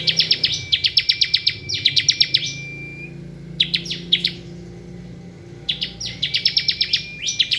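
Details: Bar-winged prinia delivering ngebren-style song: dense, rapid rattling series of high, buzzy clicks in long bursts, a steady thin whistle running beneath, then a pause before the rattles resume.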